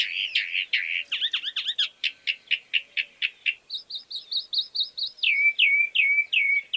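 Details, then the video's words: Chalk-browed mockingbird song: a fast, varied run of high chirps and trills, phrases repeated several times before switching to new ones, ending in a series of slurred downward whistles. "Calandria Grande Canto - Calandria Grande - Chalk-browed Mockingbird Bird Song - Mimus Saturninus"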